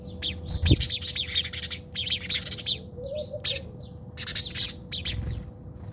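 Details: Fighting house sparrows in a South African backyard give dense, rapid runs of harsh chirps and squabbling chatter, nearly continuous across the clip, over a faint steady hum and a low thump.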